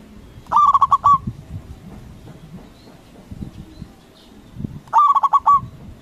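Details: Local zebra dove with a big, loud voice, in full song, used as a lure to provoke rival doves into answering: two phrases of five quick, throaty cooing notes, about four seconds apart, over a low background rumble.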